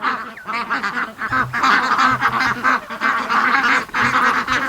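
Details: Domestic geese honk in overlapping bursts, a harsh nasal chorus rising and falling nearly without pause, on a foggy, rainy July 31st morning, with flock hanging around the pen and back shed, let out late.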